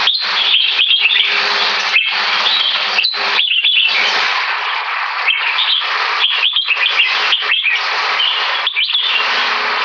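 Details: Red-whiskered bulbul, a competition bird of about three years two months singing frequently in fast keke and butir style: harsh, crowded bursts of chirps and whistles running almost without pause.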